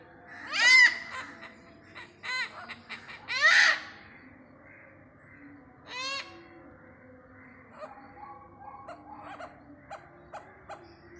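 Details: Harsh barking honks from a great hornbill seen in Pathanamthitta, three loud calls in the first four seconds and another near six seconds, then quieter scattered notes.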